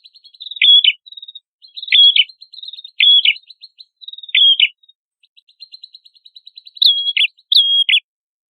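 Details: Prenjak kepala merah, recorded as songbird training material, gives loud clipped double notes at steady intervals with soft ticking between them, ending with two higher whistled slurs.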